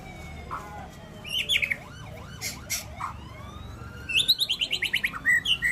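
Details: White-rumped shama, the champion bird at the SMBF Ladong singing contest, gives a varied phrase of clear whistled notes, slurred rising and falling sweeps, and ends with a fast run of sharp repeated chips.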